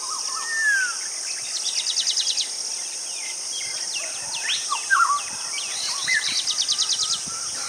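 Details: A White-bellied drongo in Sri Lanka gives a varied run of slurred whistles and quick, scratchy chattering bursts, with a steady high insect hiss behind.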